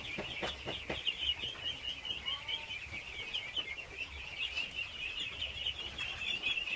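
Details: Masses of ducklings being fed keep up a shrill, continuous peeping, with sharp tapping clicks early on and a brief lower whistled note in the middle.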